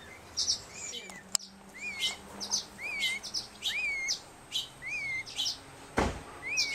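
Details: A Black-headed Grosbeak fledgling in care, not yet feeding itself, begs for food with soft, plaintive, slurred whistles about every second while trembling its wings, mixed with high thin chips from other young birds and a sharp knock.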